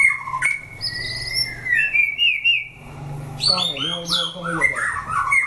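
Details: A white-rumped shama kept for fighting and put through a fighting test. It sings long pure whistles gliding upward, then a burst of rapid looping notes and high squeaks, over a low background rumble.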